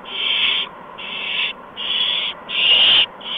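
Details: Owls on the evening of 13 March 2015, around 8 PM, as adults bring mice and a gopher to three owlets: harsh, breathy hissing screeches, each about half a second, come roughly once a second over a steady background hum.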